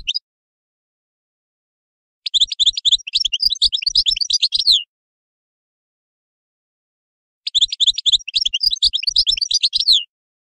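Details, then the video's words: European goldfinch delivering two bright, bubbling twitter phrases, each about two and a half seconds long, with roughly five seconds of silence between them. "تغريد حسون"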